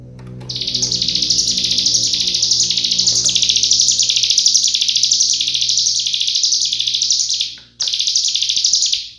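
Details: Cigun master recording for training songbirds such as magpie-robins and leafbirds, in a rapid close-fired style: a dense, continuous, high buzzy trill of fast pulses running unbroken for about seven seconds, with one brief gap, then resuming, over a low steady hum.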